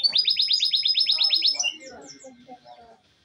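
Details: Canary song, a recording meant to be played daily to coax silent canaries into singing: a fast run of about a dozen high rising-falling notes, then scattered quieter chirps fading out.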